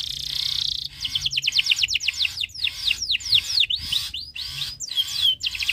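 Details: Canary in breeding condition singing to set other birds off: a buzzy opening roll followed by a long, rhythmic series of clear swooping whistled notes and rapid chips.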